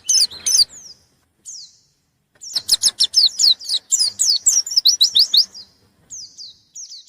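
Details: Lively white-eye, or pleci, calling out for an opponent: a few sharp high notes and short downslurs, a pause, then a long rapid burst of loud repeated chirps before it fades into softer slurred whistles.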